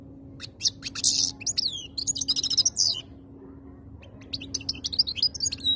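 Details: Khaloui-type European goldfinch from 2022 singing two bursts of rapid high twitters, a harsh buzzy rasp and tinkling trilled phrases, separated by about a second of pause, over a faint continuous low hum.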